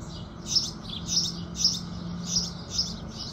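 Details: Several loud, clear chirps from house sparrows at sunrise, roughly every half second, bright and high, with a faint low drone underneath.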